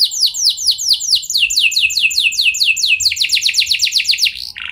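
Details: Lure song of a canary, used to prompt other canaries into long rolling song: steady run of high downward-sweeping notes, tightening into a faster roll after three seconds and closing on a short buzzy note.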